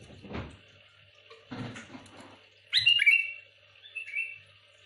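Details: Sooty-headed bulbul singing to agitate rival bulbuls, heard after some knocking and rustling handling sounds: one loud, bubbly whistled phrase, then a softer short warble.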